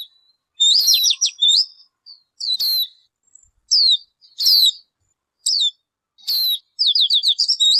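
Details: Clear, high bird phrases come in bursts over about eight seconds: loud downslurred whistles alternating with short chip notes, ending in a fast stuttering run of repeated notes.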